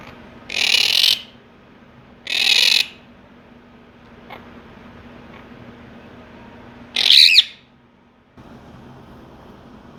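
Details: A pet pair of monk (Quaker) parakeets, kept since early February, give loud, harsh squawks in short bursts while squabbling and yelling at each other during a jumping and noise-making training session.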